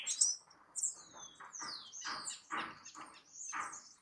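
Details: House wren (Troglodytes aedon) singing at El Retiro, Antioquia, Colombia, on 30 June 2021: high, quick chips and slurred, falling whistles, with bursts of lower rustling noise under the second half.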